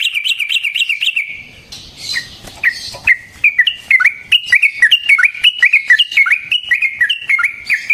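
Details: Sooty-headed bulbul (trucukan) long rapid song used to provoke and train other birds: quick wavering warbles at first, a short gap, then a steady stream of sharp chirped notes rising and falling.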